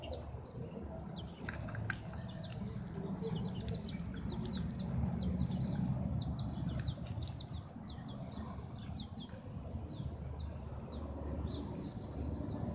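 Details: Chicks sitting in a rosemary pot on 20 November 2018. Soft, high, rising peeps come in scattered bursts, thicker in the second half, over steady low rumbling noise and occasional rustling or flapping.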